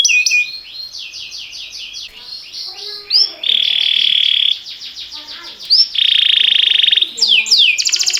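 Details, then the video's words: Canary training song mixing soft swept notes, two loud buzzy rolled tours, rapid trills and descending whistles, with varied volume throughout. "Cantar canário faz seu canário cantar - o melhor treinador"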